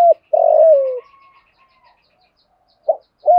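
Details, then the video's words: Spotted dove cooing to stimulate and train decoy birds. One full, hollow coo slides gently downward, followed by a faint thin whistle, then short clipped coo notes begin again. "chim cu gáy thúc đấu và gù đấu kích bổi rất lẹ gáy. tiếng chim cu gáy dùng luyện mồi gáy theo"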